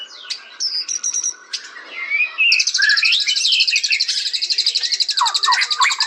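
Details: White-rumped shama: thin high whistles and chips give way to a long, pulsing, high-pitched trill with looping slurred notes woven in.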